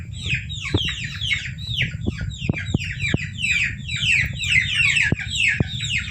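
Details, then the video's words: Many domestic chicks calling, a recording used to lure civets into traps: continuous rapid high peeps sliding downward, overlapping in a busy chorus, over a steady low hum with occasional sharp clicks. "Suara Anak Ayam Buat Pikatan Musang"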